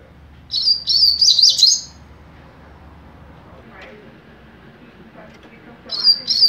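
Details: Double-collared seedeater youngster in captivity singing mateiro song: a rapid phrase of high, warbled whistles lasting over a second, a long quiet gap with faint human voices, then the song starts again.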